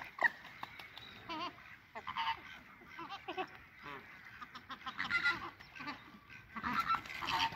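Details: A flock of Chilean flamingos at WWT Slimbridge, engaged in courtship display in March 2020, honks in a busy, overlapping chorus of nasal, goose-like calls, many birds calling at once in irregular bursts.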